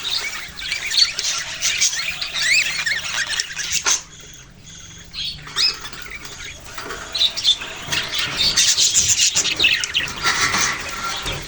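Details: Budgerigars, including young birds, giving dense chirping and warbling chatter, rapid high chirps overlapping almost continuously, a brief lull near the middle before the chorus resumes.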